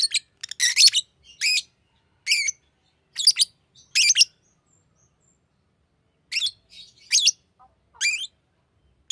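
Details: Green lovebird chirping steadily in loud, high, sharp bursts, often doubled or tripled, about one per second, with a short gap midway.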